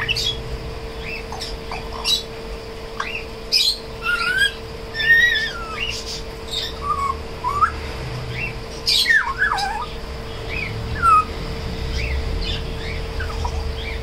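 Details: African grey parrot, a tame bird at a shop in Koramangala, trying to talk and singing: varied whistled notes, short rising and falling slurs and a few squawky bursts, scattered through the clip over a steady electrical hum.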